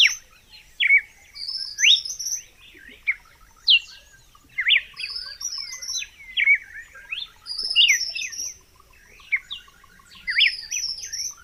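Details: Red-cowled cardinal repeating varied whistled phrases about twenty times a minute, each built of steep up-and-down slurs, in a quiet setting.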